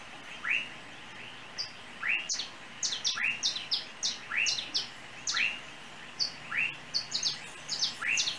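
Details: On overhead lines around a home in Trinidad, a small unidentified yellow bird repeats bright rising chirps roughly every second, with clusters of thin, very high short notes between them.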